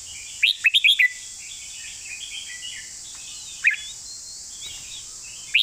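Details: Red-whiskered bulbul giving a training master song. It opens with a rapid burst of five sharp whistled notes, then soft chatter and single bright notes spaced apart, over a continuous high hiss.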